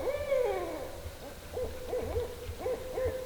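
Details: Barred owls in a Georgia swamp: one long, drawn-out hoot sliding downward, then a series of short, clipped hoots at a steady pitch. A constant low hum continues underneath.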